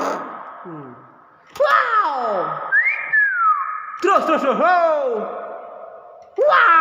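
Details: A clever hill myna gives loud harmonic downward-sweeping calls that sound almost like a voice, with one clear rising-falling whistle between bursts, against a steady background hum.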